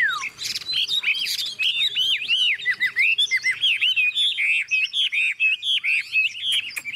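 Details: Captive tame Chinese Hwamei singing as a heavy downpour starts: a rich, fast, varied stream of clear arched whistles and short slurred notes, delivered almost without pause.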